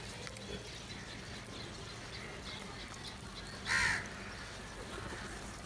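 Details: Crow calling loudly while feeding together with others: a single short, harsh, raspy caw late in the stretch, standing out clearly above a quiet, hissing outdoor background.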